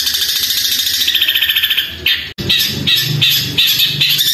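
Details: Long-tailed shrike (cendet) in a loud, long, persistent song: a rapid train of sharp chirps for two seconds, a brief gap, then harsher, broken, buzzy phrases over steady background noise.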